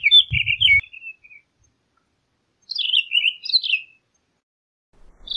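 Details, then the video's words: Townsend's solitaire giving short bursts of high, fluty warbling with rising and falling notes, separated by a silent gap of over a second; a low thump at the start. "Townsend's Solitaire Song! Townsend's Solitaire Call! - Solitario Norteño Canto"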